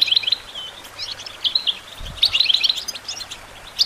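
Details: European goldfinch, for songbird training, delivering short clusters of bright tinkling chirps separated by brief gaps, over a soft steady hiss and faint low hum.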